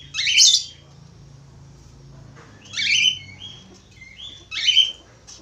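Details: Budgerigar singing actively: three bursts, each a harsh high squawk followed by short clipped whistled chirps sliding downward, repeated about every two seconds over a faint low hum.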